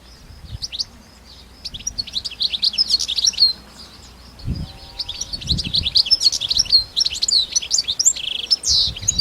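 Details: Wild European goldfinches singing continuously in nature: dense, lively, high-pitched twittering and liquid trills, with occasional low knocking or rustling sounds in the background.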